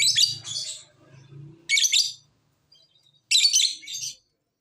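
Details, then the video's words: Lovebird call used to trigger other lovebirds to call back: loud grating, buzzy high chatter in three bursts, each roughly half a second long, separated by short pauses, with a low background hum. "Pancingan Lovebird agar BUNYI, Lakbet malas pun akan NYAUT"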